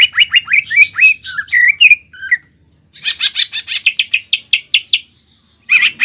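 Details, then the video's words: Greater green leafbird singing a fighting song with mimicked fill-in phrases, aimed at provoking another leafbird. Loud whistled notes slur downward in quick succession, then a dense run of sharp repeated chips, a brief pause, and a final burst. "CUCAK IJO GACOR FULL BONGKAR ISIAN AGAR CUCAK IJO LAWAN EMOSI DAN MAU JAMTROK"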